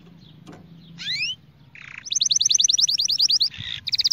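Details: Training song of a canary: after a quiet start, two quick rising slides and a buzzy burst lead into a fast, even trill of sharp notes, a brief rolling buzz, then more rapid trilling; faint low hum throughout.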